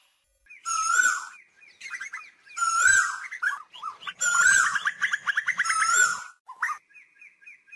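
Asian koel giving loud, ringing, rising notes in repeated bursts, broken by quick bubbling runs of higher notes; faint human murmurs are heard.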